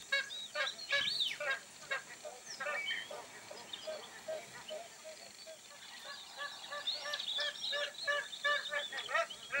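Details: A group of magpie geese, Northern Territory, Australia, giving rapid nasal honks with rich overtones, some longer drawn-out notes among the short ones, many birds overlapping in a steady, busy chorus.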